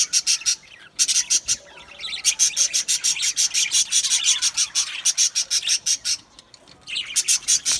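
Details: Budgerigar colony in an aviary, singing and chirping: rapid, regular bursts of bright, scratchy chirps, about three per second, with a brief pause at the start and another near the end.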